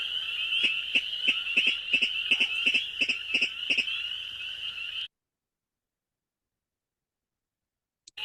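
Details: Virginia rail (Rallus limicola), a secretive marsh bird calling less by day, gives its ticket call: a rapid, sharp series of clicking notes, about three per second for five seconds, with a chirpy, almost frog-like quality.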